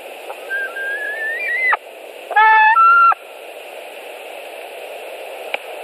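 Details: White-tailed eagle at a nest in Latvia on 26 July 2018, as one adult arrives with prey and a second comes in; a long, gently rising whistled note, then a short harsher call rich in overtones, over steady background hum.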